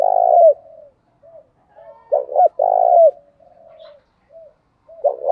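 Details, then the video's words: Spotted dove, male and female, cooing to stimulate other doves to coo: low hollow coos around a quarter-second each, a double note followed by a long drawn-out coo, repeated in phrases with soft short notes between; no other sounds. "tieng chim cu gáy thúc đấu, cu gáy kích bổi nhanh nổi gù/ tiếng thúc"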